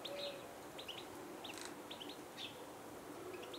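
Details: Eurasian siskin in a garden at the water's edge, 6 March 2020: short high chirps, some rising or downslurred, repeated about every half second in loose pairs over a steady low background hiss.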